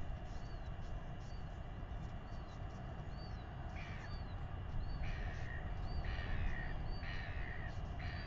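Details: A royal albatross chick in New Zealand gives harsh, rasping begging calls about once a second, growing insistent, as its father arrives to feed it, over a steady roar of wind.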